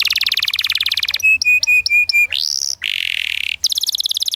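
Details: Canary rolling 'ngerol' song as a master for young canaries learning the 'ngriwik' sound: a fast trill, four flat ringing whistled notes, a rising upslurred note, a harsh buzzy stretch, then another quick rolling trill.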